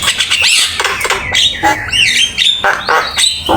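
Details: Javan myna in full song for use as a training master: scratchy squawks, a few whistled slurs and grating bursts delivered at an uneven pace.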